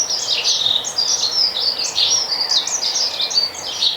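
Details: A Dunnock in a garden in Hampshire, UK, in 2020 sings a fast, continuous warble of high, thin notes, rising and falling without pause; the species sings from high points such as shrub tops in the breeding season. Faint background hiss.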